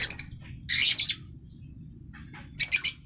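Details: Harsh, high chattering bursts from a green masked lovebird, African lovebird, two loud clusters about two seconds apart over a low background hum.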